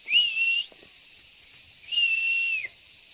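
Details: Pleci (white-eye) female call used to coax males into singing, recorded by a house: two drawn-out, even whistles, each nearly three quarters of a second, beginning with a quick upward flick and ending with a slight drop, over continuous shrill hiss.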